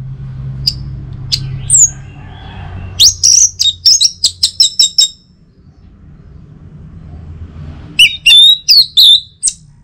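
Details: From North Bali, a morning song of the Orange-headed thrush meant to prompt other birds to sing. A few scattered high notes lead into a run of rapid, evenly spaced chirps, a quiet stretch, then a cluster of bright warbled whistles.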